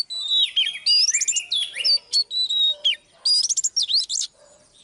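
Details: Oriental magpie-robin song from a live session in which a female draws a male into singing: descending whistles lead into fast twisting notes, a brief gap, then a burst of rapid chattering sweeps.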